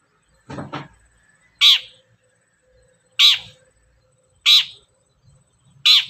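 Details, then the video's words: Long-tailed shrike lure calls: a low rough chatter, then four loud, harsh, rasping notes roughly one to one and a half seconds apart. "SUARA BURUNG CENDET GACOR, PANCINGAN CENDET BAHAN AGAR CEPAT GACOR"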